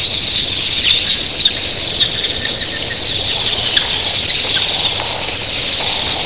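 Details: Thousands of red-billed queleas at dawn make an unbroken wall of high, hissing chatter, like surf, with a few sharper squeaks standing out from the mass.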